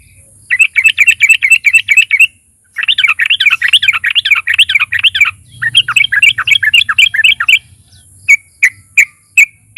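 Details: Sooty-headed bulbul song, known as trucukan, used to provoke other bulbuls into singing: long runs of fast bubbling chirps broken by short pauses, ending in a few separate sharp notes.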